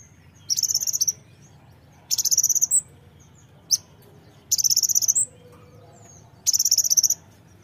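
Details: Brown-throated sunbird song used to get birds singing: four bursts of very fast, high, buzzy trilled notes, each under a second, spaced roughly two seconds apart, with brief thin chips between.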